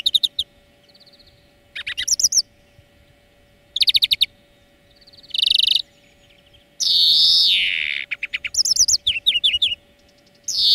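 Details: Song-lesson recording of a European greenfinch: twittering trills and rapid repeated notes, a buzzy wheeze, then a long loud wheeze that slides downward before more quick trilled bursts.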